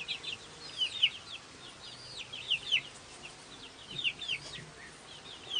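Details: Newly hatched chickens in a farmyard, chirping: high, falling peeps in loose clusters, a few of them louder and sharper, over a quiet background.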